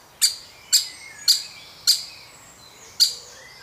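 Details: A young woodpecker being fed within its family group gives five abrupt, bright, high notes in under four seconds, spaced about half a second apart. Each note rings briefly, and a gap falls before the last one.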